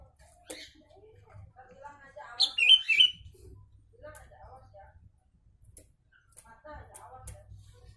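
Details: Sooty-headed bulbul singing Javan myna imitations for training other birds: one loud, lilting whistled phrase mid-clip, surrounded by quiet twittering notes and faint clicks, with a low background hum.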